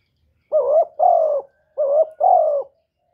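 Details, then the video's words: Spotted dove repeating a low, soft coo phrase twice, each phrase a short note followed by a longer, slightly falling hum, with a pause of about half a second between the pairs. Quiet background. "សំឡេងលលកូក2.ឮច្បាស់ល្អ.2023 , terkukur"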